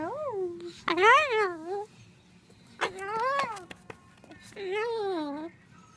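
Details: Pet Moluccan cockatoo playing in a box indoors, talking: three clear, speech-like phrases with wavering, bouncing pitch, resembling repeated "I love you" and "hello", separated by brief pauses, with faint clicks between them.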